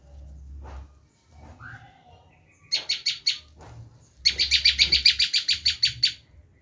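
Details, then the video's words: Bar-winged prinia uttering its screaming call for luring wild birds, first a short burst of four harsh notes, then a longer rapid series of loud buzzy chips, with faint background noise. "Suara asli prenjak lumut menjerit"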